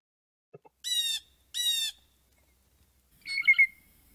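Blue Jay gives two harsh, buzzy 'jay' screams about half a second apart, then a liquid, gurgling tweedle call; a couple of faint clicks before.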